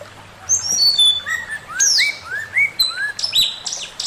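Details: Male Chinese hwamei delivering master song: high clear whistles stepping downward, then lower looping upslurred phrases repeated rapidly, ending with piercing flat notes.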